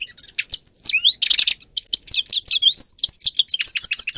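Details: Bright, continuous warbling of a singing grey-crowned goldfinch, meant to stimulate other goldfinches: quick twitters and liquid slurred whistles with a short buzzy rasp near the middle, hardly any gaps.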